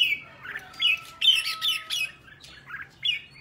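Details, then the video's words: Red-whiskered bulbul morning song from a training session, with harsh squawky bursts mixed with rising and falling warbled notes in rapid succession over a faint steady tone. "Luyện giọng cho chào mào hót sáng, ép chào mào hót âm kép già rừng hay tuyệt!"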